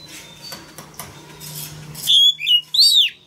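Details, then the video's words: After low clattering background noise, a male Oriental magpie-robin gives a short burst of three bright, swooping whistles. The song is meant to encourage young birds to sing. "Choè than trống hót réo kích bổi mở mỏ hót theo"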